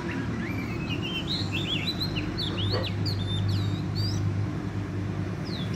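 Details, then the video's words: Oriental magpie-robin, a wild bird caught in a trap, singing vigorously: a chain of clear whistles, rising and falling slurs, over a strong low mechanical drone. "bẫy chích chòe than bổi rừng hót rất sung"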